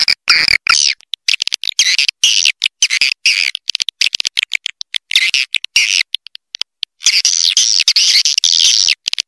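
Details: Swiftlets' lure call, played to draw the birds in: long, high, rasping twitters in dense chattering bursts separated by short gaps and quick clicks.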